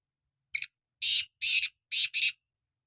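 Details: A black francolin's harsh call: one short note, then four loud grating syllables in a broken rhythm, the last pair nearly joined, with faint low thumps beneath.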